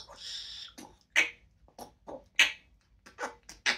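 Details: Pet parrot beatboxing at home when her owner returns, a run of sharp percussive pops and clicks at irregular intervals, with a hissy opening burst in a small indoor room.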